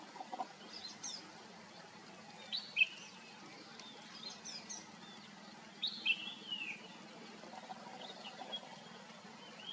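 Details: Red-whiskered bulbul (Pycnonotus jocosus), song.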